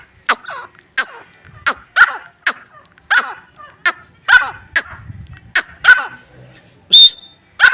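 Grey francolin giving loud, harsh, clipped notes repeated about every half second to second; a brief high whistle sounds near the end.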